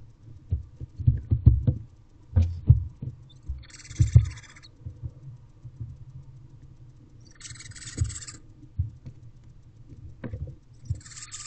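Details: Barn owl owlets in nest box C, recorded 5/9/23 at 12:26 pm, one owlet holding the attention of its siblings; three harsh, breathy hissing bursts about every three to four seconds among thumps and scuffling of the young moving in the box.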